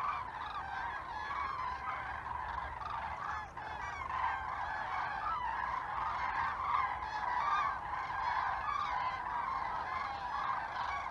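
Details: A flock of common cranes flying in formation over Teruel, Spain, in winter, calling overhead with loud rolling trumpeting notes that overlap continuously.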